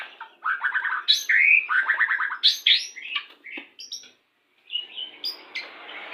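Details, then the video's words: White-rumped shama of the Pastol type, used as a lure song during pairing to bring birds quickly into breeding condition: rich varied phrases of rapid rattling notes mixed with sharp whistles, loud and continuous, briefly pausing near the end. "PANCINGAN MURAI BATU PASTOL CEPAT BIRAHI"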